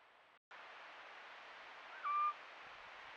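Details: Eurasian scops owl at night, recorded by a camera trap, giving one short, clear, mellow whistled note on a steady pitch over a constant background hiss.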